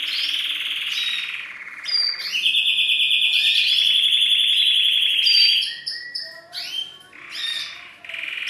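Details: Courting male canary singing to a female for mating posture; a steady rolling trill, then a higher sustained pulsed roll lasting about three seconds, followed by scattered whistled notes.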